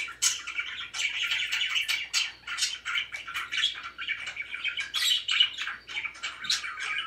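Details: Cheerful pet budgerigars in lively chatter, scratchy squawks and fast chirps alternating with softer warbled phrases, the loudness pulsing roughly every half second.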